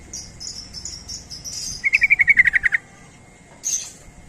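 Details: Yellow-vented bulbul calling to draw in other bulbuls: a thin high twittering run, then a quick burst of about ten sharp chattering notes, followed by a brief rustle.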